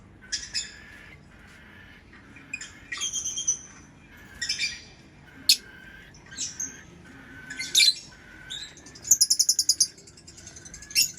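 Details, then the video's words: Lovebird giving separate harsh, shrill squawking chirps every second or so, ending with a fast rattling series of high pulsed notes. "Lovebird Chirping Sounds"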